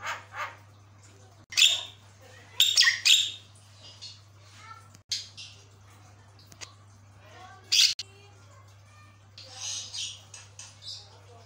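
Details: Javan myna pouring out a loud song said to make other mynas call back: scattered harsh, high squawks and grating bursts separated by short pauses, with faint chatter between; constant low hum throughout.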